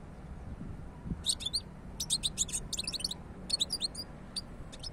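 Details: European goldfinch song: bright, high twittering phrases of rapid, tinkling notes delivered in clustered bursts with short gaps, against a constant low hum and hiss.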